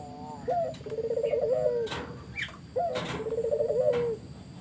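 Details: Spotted dove song used to get other doves to answer: two phrases of a rising hooked note and a rapid quavering trill ending in a falling coo, with knocks and background hiss.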